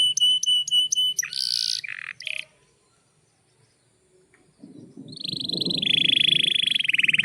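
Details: Singing canary, a lure to start other canaries singing: evenly spaced bright repeated notes and a harsh burst, a short quiet gap, then a long high rolling trill over low background rumble.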